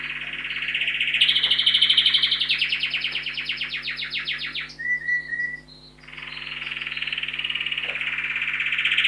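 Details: Canary song indoors in a home study where a few canaries are kept: a loud fast buzzy trill pulsing for nearly five seconds, a short clear whistled note, a brief pause, then another long rolling trill building in volume.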